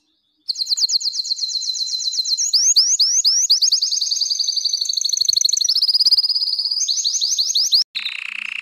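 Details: Canary singing, used for song training and to stimulate females for mating: fast repeated trills of sweeping notes around 4–8k pitch, shifting between several tours, with a brief harsh burst near the end.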